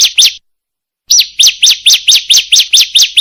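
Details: Female bar-winged prinia calling the male, used as lure audio: two paired sharp chirps, a pause of about a second, then a fast steady run of bright, high, slurred chip notes, roughly six per second, clean and loud.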